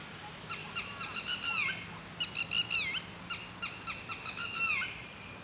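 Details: Loud call of a red-wattled lapwing, one of a pair resident in a garden that attacks anyone approaching too close; quick bursts of strident, ringing notes, each burst ending in a falling slur, three bursts in under six seconds.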